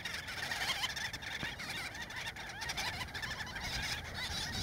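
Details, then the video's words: Breeding colony of Gull-billed terns in central Spain during chick feeding; continuous chorus of harsh, nasal, repeated calls from many birds overlapping into a steady clamor. "Gull-billed Tern colony"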